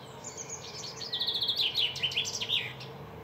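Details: Male chaffinch singing: a rapid run of high, bright, repeated notes that steps down in pitch over about two seconds and ends in a short flourish, over faint steady background hiss.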